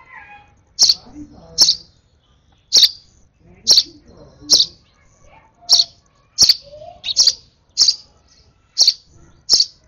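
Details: Sparrow nestling, over-excited, being hand-fed its last feed; sharp high chirps repeated roughly every second, loud and insistent, with faint low handling noises between calls.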